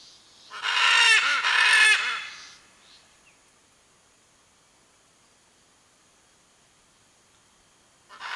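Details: Blue-and-yellow macaw (Ara ararauna) vocalizing to locate its mate: two loud, harsh, raspy squawks, each about half a second long, then silence before another call begins at the end.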